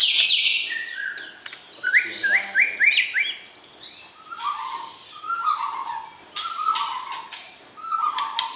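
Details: White-rumped shama calling to arouse the opposite sex before pairing for captive breeding. A varied run of clear whistles, rising chirps and repeated short slurred notes follows a bright opening burst.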